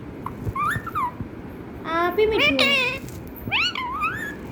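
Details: Pet parrot imitating a cat's meow indoors: several short nasal, rising-then-falling meow-like calls with bright harmonics, one longer wavering call in the middle, separated by brief pauses, with faint room noise.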